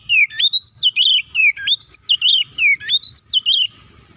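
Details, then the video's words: Continuous fighting song from an Oriental magpie-robin, meant to make other magpie-robins emotional: dense, rapidly repeated whistles that swoop and jump in pitch, roughly four notes a second, ending abruptly. "KACER GACOR NGEPLONG TARUNG KONSLET❗PALING AMPUH BUAT PANCINGAN KACER AGAR EMOSI!"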